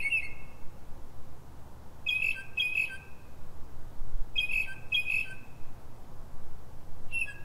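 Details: A Northern mockingbird sings at night, pre-dawn around 3:44 a.m., in Silver Spring, Maryland, USA, in bright, chirpy phrases often given twice in quick succession, with pauses of a second or two over a steady low rumble.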